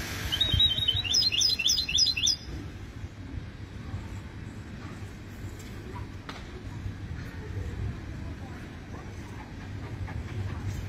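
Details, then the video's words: Goldfinch hybrid (mule) singing: a short burst of rapid, twittering high notes lasting about two seconds at the start, then only low background rumble and faint noise. "هجين حسون"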